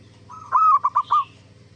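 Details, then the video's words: One zebra dove (perkutut) phrase, played as a lure to draw answers from other zebra doves: a soft drawn coo and then three short, rounded staccato notes, with a steady low hum underneath. "Suara Burung Perkutut gacor AMPUH pancingan JUARA BURUNG PERKUTUT BIAR NYAUT BUNYI"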